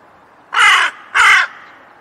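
A crow gives two harsh, hoarse caws, each about a third of a second long and just over half a second apart, with nothing else heard.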